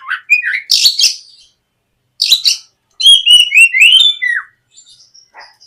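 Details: Morning lure song of a White-rumped shama meant to start a young bird singing: buzzy bursts, then a rich phrase of warbled whistles that slide downward and fade away.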